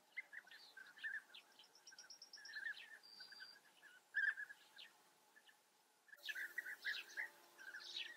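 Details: European bee-eaters at a breeding colony in the Eifel, Germany, heard as rolling trilled calls from several birds, with a thin repeated high piping series from another bird in the first half and a loud close call near four seconds.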